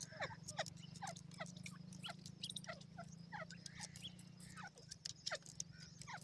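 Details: Teetar (grey francolin) giving natural calls: many quick, down-slurred chirping notes repeated in rapid succession, some overlapping, above a constant low droning hum.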